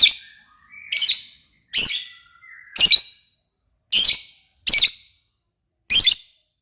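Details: Lovebird singing actively (gacor): seven loud, raspy, high-pitched chirps at uneven intervals of about a second, with faint thin whistles heard between the first few notes.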